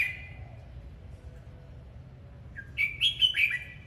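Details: A red-whiskered bulbul in hót múa, the Vietnamese singing-and-dancing display, opens with a faint note, pauses for more than two seconds, then gives a quick, loud run of three or four bright, rollicking whistles.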